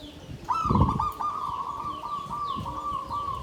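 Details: Caged zebra dove in a bamboo cage, klabang kapipit tumpang sari song style: a long, steady mid-pitched cooing tone with small beats, accompanied by low knocks and handling thumps.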